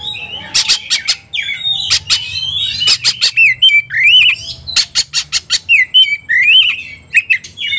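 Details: Provoked, fight-ready Oriental magpie-robin in full song, loud sharp clicking bursts alternating with fluid whistled warbles and slurred notes, irregular phrases packed closely together.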